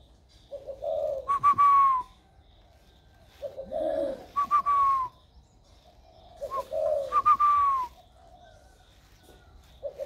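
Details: Spotted dove kept in a cage, recorded 16 February 2020 as its warm voice first develops: three spaced phrases, each a low mellow coo then quick stuttered notes sliding downward, roughly every three seconds in quiet surroundings.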